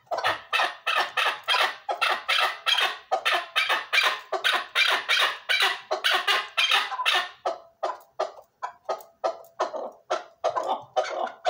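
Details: Chukar partridge calling loudly in a long series of harsh, rasping bursts, roughly two to three per second, fast and even at first, then sparser and a little weaker in the later seconds.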